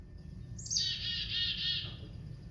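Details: Black-capped Chickadee chick-a-dee call: a thin high opening note, then a run of harsh, buzzy dee notes, lower and slower than Carolina Chickadee's; faint low rumble underneath.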